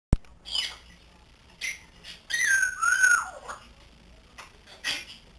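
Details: Three-month-old pet grey parrot learning to talk: short noisy bursts, then a clear whistled note that slides down, dips and rises again before falling away, followed by brief harsh chirps in a small room.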